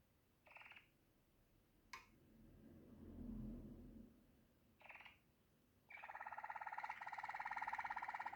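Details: Waterslager canary singing, faint at first with a few short chirps and a soft low rumble, then a continuous fast rolling trill at mid pitch with a rising overtone in the last seconds.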